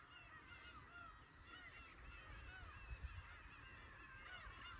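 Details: At a fishing port in Imabetsu, Aomori, Japan, Black-tailed Gulls give dense, repeated cat-like mewing cries, with waves washing in the background.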